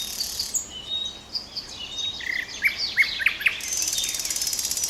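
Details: Common nightingale song fragment: thin high whistles, then a series of sharp, evenly spaced clicking notes, ending in a dense rapid high trill.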